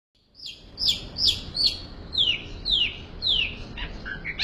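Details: Long-tailed shrike singing in the full isian style: a series of clear, high, sharply descending whistled slurs, each about a third of a second long and repeated roughly every half second, over a faint background hiss.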